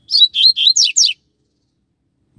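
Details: Double-collared seedeater from a pair kept outdoors on the street, singing a quick phrase of five high, slurred whistled notes, the last two sweeping sharply downward, then silence.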